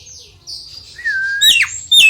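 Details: Nias hill myna, song used to coax a lazy bird into singing: a long level whistle, then a sharp falling note and a loud abrupt squeal at the end.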